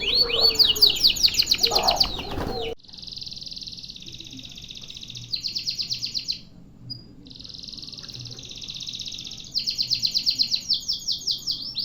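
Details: Canary singing a long single-breath song used as a tutor recording; sustained buzzy trills and rapid repeated rolling notes, shifting between pitches with brief pauses, after an opening of mixed chirps and background noise.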